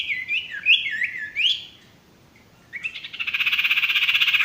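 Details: Male sirtu song: a rapid run of bright whistled notes that leap and slur up and down for about a second and a half, then a pause and a dense, pulsing buzzy trill held to the end.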